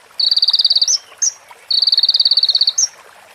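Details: ['Sunbird song with mimicked prinia phrases: two rapid rattling runs of bright high notes, each ending in a short upward chip, with a lone chip between them.']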